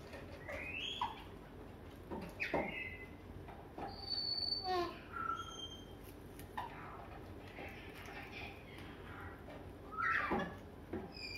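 Grey parrot chatter: speech-like phrases mixed with sharp whistles, rising and falling squeaks and clicks, coming in bursts every second or two over a low room hum.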